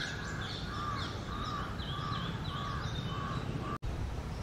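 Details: Male Asian koel singing from a ficus tree in India, calling through the day in its territory as the summer breeding season approaches; a run of about seven short, mellow, arched notes, roughly two per second, over steady low rumbling background noise.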